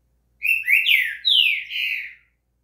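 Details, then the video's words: Green-winged saltator song used to warm up a bird to sing: a loud whistled phrase of about two seconds, four or five slurred notes sliding downward, clear and rich, with a quiet background. "quer esquentar o seu trinca-ferro"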